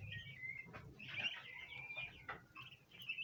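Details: Several domestic bronze turkey poults peep at a basin of ornamental plants they want to eat. High, slightly wavering chirps run almost continuously, with a faint low hum underneath.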